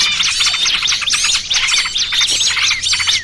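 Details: Lure for catching small birds, a trucukan ribut and burcil kejepit combination: crowded twittering of high, sharply rising and falling notes in fast clusters, with a few clear thin whistles over the din.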